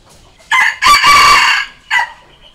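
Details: Full crow of a Red junglefowl meant to challenge wild junglefowl: four-part pattern of short note, rising burst, long harsh held note, and a separate short ending note, with faint background hiss only.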